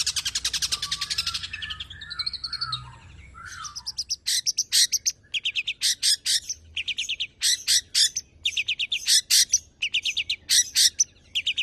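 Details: A tame champion long-tailed shrike in rich mimicry song: a dense buzzy phrase with a looping whistle, a short pause, then a long series of loud, clipped high bursts fired in quick succession, the rapid 'nembak' style.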